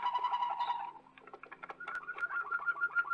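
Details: Waterslager canary from an old Belgian record: low rolling trill, a brief clicky broken passage, then a clear bubbling roll at higher pitch; brief and recorded with background hum.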